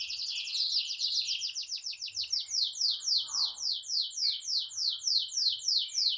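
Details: Canary singing non-stop, used as a master song to teach young canaries and to prompt silent canaries into song: a long fast rolling trill of repeated downward-sweeping high notes, shifting to slower broader sweeps near the end.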